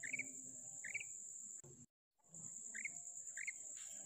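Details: Female common quail, recorded 19 February 2024, gives short, quick double chirps spaced well apart over a steady high-pitched insect buzz throughout; finding: Common quail.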